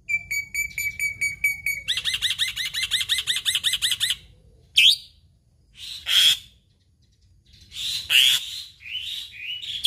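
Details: Black-winged myna (Acridotheres melanopterus), an Indonesian endemic mimic, opens with a steady high whistle and a two-second run of fast, even chattering notes, then gives four harsh, rasping bursts spaced a second or two apart.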